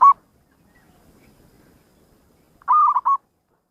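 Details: Local zebra dove singing actively, with a distinctive voice: a brief coo at the start, a long quiet gap, then one rolling phrase of three quick, slightly wavering coo notes.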